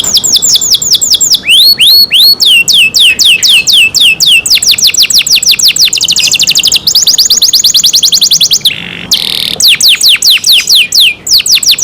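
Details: Caged canary kept by its owners singing loudly: rapid rolling trills of high, downward-sweeping notes in fast repeated series, switching between tours, with a brief buzzy burst near the end, continuous and clear.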